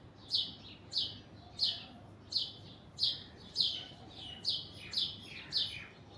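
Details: Alexandrine parakeet calling from an orange tree: a steady series of about ten loud, harsh, high squawks spaced under a second apart, some doubled.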